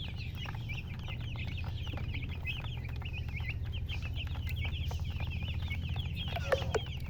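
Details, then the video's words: Baby chickens chirping as a group: a dense, rapid stream of high, short peeps with downward-sweeping and hooked notes tumbling over each other, about three to four per second, above a steady low rumble. "Witty MURGI Baby "Chicks Chirping" Sound"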